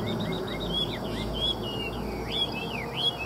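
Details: Captive Chinese hwamei offered for sale in Vietnam, singing clear, looping whistled phrases that rise and fall, with several bright slurred notes in quick succession over low background noise.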